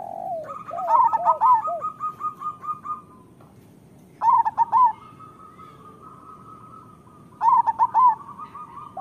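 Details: Master song of a local zebra dove: after soft cooing and a long buzzy trill, two more bursts of four quick, bouncing coo notes arrive about three seconds apart over a steady background trill.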